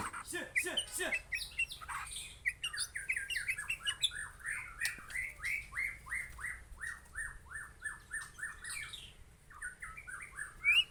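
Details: Aceh white-rumped shama delivering a long, rapid series of short, clipped notes repeated many times per second at a steady mid pitch, opening with a jumble of sharper chips and ending with a brief higher flourish, in a quiet indoor setting.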